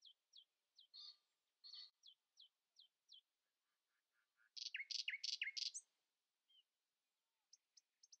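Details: Early-morning song of a common nightingale, which lets no rival sing louder: repeated falling whistles, then an intense buzzy phrase of rapid downslurred notes, followed by scattered high chirps.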